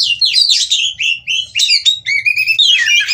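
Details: Oriental magpie-robin eager to mate, singing 'ngobra' style with short bursts of high sweeping whistles and chattering notes separated by brief pauses, over a faint low hum.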